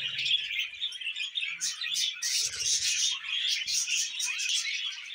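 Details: Budgerigars kept as pets giving a steady run of high, rapid, buzzy chirps and twittering warbles without a break.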